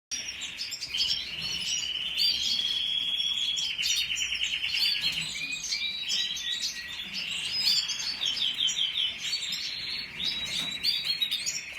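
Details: Canary singing a continuous, rapid song of high twittering notes, fast trills and buzzy rattles, with brief whistled phrases woven through, held steadily for the whole stretch.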